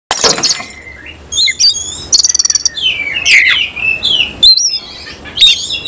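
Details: Oriental magpie-robin of the semi-cililin singing style, bursting into song within thirty seconds with its tail spread open; a rapid mix of high whistled slurs, sharp rising and falling sweeps and a fast rattling trill, in quick irregular phrases.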